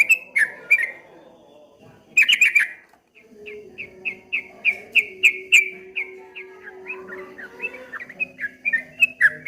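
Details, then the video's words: Streak-eared bulbul's 'ropel ngombak banyu' song: a loud burst of whistled notes, a short pause, then a long even stream of quick, clipped whistles repeated about three times a second over a faint steady hum. "suara burung trucuk kebo bunyi ropel ngombak banyu"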